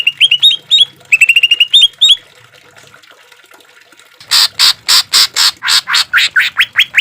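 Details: Green leafbird, a training recording for caged birds with harsh 'shot' fill and trickling water: clusters of upslurred whistles, a second of quiet, then loud harsh broadband bursts that turn into rising notes.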